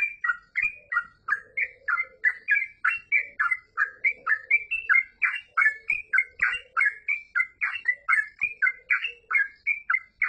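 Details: Yellow-vented bulbul singing continuously over a long session: rapid bubbly, slurred notes around two to three per second, each a short rising-falling warble, with a faint low hum underneath.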